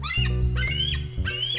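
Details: Bald eagle's real call, less majestic and more cackly than expected, the sound movies usually overdub with a red-tailed hawk scream: thin, high piping notes in three quick slurred phrases over a steady low music bed.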